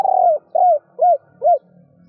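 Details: Female spotted dove cooing to excite males: a long falling coo followed by three rounded, arched hoots at even intervals of roughly 0.4 seconds, with a faint low hum underneath.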